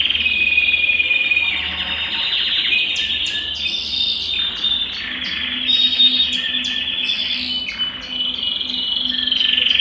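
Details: Belgian canary song for warming up a cold canary: a continuous mid-high warbling trill with scattered higher chips, fairly even in loudness, with slight hum in the background.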